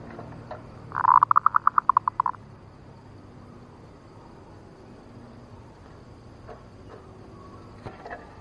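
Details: Female zebra dove nutut ngerot call, played as a lure: a harsh rasping onset followed by about a dozen quick clipped notes over one second, then quiet hiss with a few faint distant ticks.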